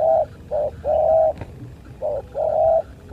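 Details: Spotted doves in a fight, short low coos and long held coos in pairs, a soft click in between, steady background hum.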